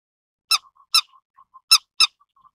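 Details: Grey-headed lapwing (Vanellus cinereus) giving four harsh, rasping calls in two quick pairs, with soft low chatter between them.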